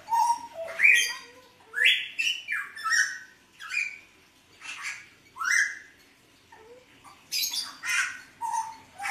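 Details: Lively song of a mottled Hooded butcherbird, 29 October 2019: a fast medley of short clear whistles, some sharply rising or falling, mixed with scratchy, squawking bursts in loose phrases.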